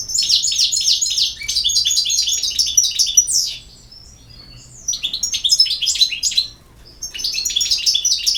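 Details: Twittering song of a European goldfinch, delivered in three long bursts of quick, bright, jangling notes and slurred whistles separated by short silences.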